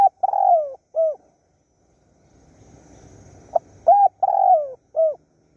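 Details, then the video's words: Spotted dove from Surat Thani, Thailand, a wild bird calling for a mate while being lured: two phrases of mellow coos, each a sharp short note, a long sliding croon and a clipped final coo, with a quiet gap between. "ต่อนกเขาใหญ่สุราษฎร์ธานี หมายในบางใบไม้ นกป่าเรียกคู"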